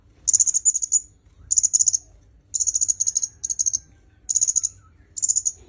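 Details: Red-headed myzomela for songbird training, uttering six short bursts of rapid, thin, high chips at fairly even intervals.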